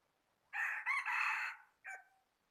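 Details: Rooster crowing on 8 January 2020: one loud, harsh, drawn-out crow broken into three connected parts over about one second, followed by a short separate hoarse note, against near silence.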